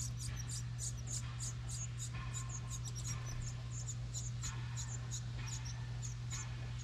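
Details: Begging house wren chicks in a license-plate nest box at a New England house call with quick runs of thin, high-pitched peeps, interrupted by brief rustling bursts, over a steady low drone.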